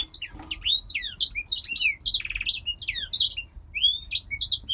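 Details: Grey singer finch, a caged male bred in Poland, delivering a quick jumble of high chirps and sweeping whistles, with one buzzy trill in the middle and a few thin upward slurs near the end.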